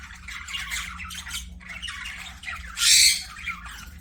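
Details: Pet budgerigars chirping and squawking in an aviary: busy overlapping chatter and warbles in a high band, with one loud harsh burst near three seconds; a faint steady low hum underneath.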